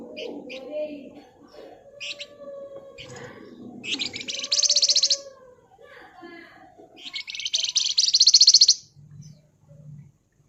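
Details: Javan fulvetta (flamboyan) in energetic ngebren, nyerecet style song: short high chirps and whistles, then two dense, buzzy, rapid high trills of about a second each, separated by softer twittering notes.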